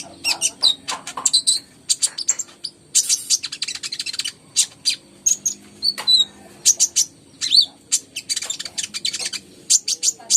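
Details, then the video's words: A konin or ruby-cheeked sunbird in steady, busy song, pouring out very high, thin chirps and short twittering bursts with occasional slurred whistles, almost without pause for ten seconds. "PANCINGAN KONIN GACOR"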